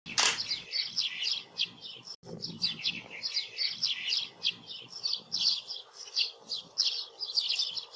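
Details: Eurasian tree sparrow (Passer montanus) in Portugal gives a continuous run of bright, chirpy chips and short metallic notes, several each second, with little else in the background.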